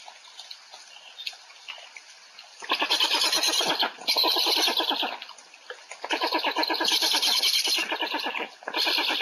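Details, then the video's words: Black stork at afternoon feeding, recorded 20 July 2020 in Łódź; after a quiet start, bursts of harsh, rapidly pulsed rasping calls come in long runs with brief pauses, over a steady background hiss. "Bocian czarny - Podwieczorek"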